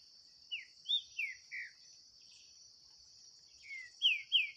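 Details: Green-winged saltator contesting in song with a wild bird in the bush: four descending whistled notes, a gap, then a soft note and two loud falling whistles, steady insect buzzing in the background.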